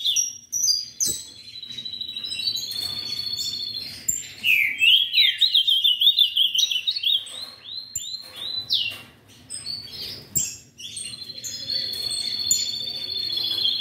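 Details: Long, fluent warbled song of an ultramarine grosbeak from a breeder: steady whistled phrases, a jagged zigzag trill in the middle, and a sustained wavering whistle at the end, while other cage birds chirp high in the background.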